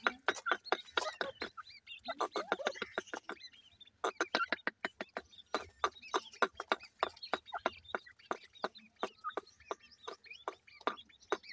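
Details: Grey francolin chicks being fed, giving rapid high chirps and peeps in quick bursts with sharp clicking taps throughout, and a short pause near two seconds.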